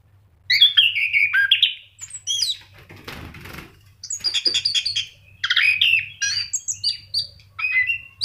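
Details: A kept orange-headed thrush sings lively, in bursts of whistled and chattering phrases separated by short pauses, with a brief scratchy rustle near the middle and a faint hum throughout.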